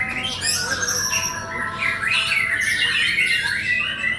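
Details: White-rumped shama song of fluty whistles and scratchy squawk-like notes, phrases tumbling rapidly with rising slurs in the middle, continuous and loud throughout.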